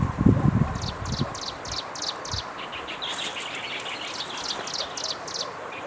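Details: Striped prinia recorded on 11 April 2023 in Jianshi Township, Hsinchu, Taiwan, gives a quick series of high, dry, buzzy notes, about four a second, which turn fuller and raspier; a few low thumps open the recording.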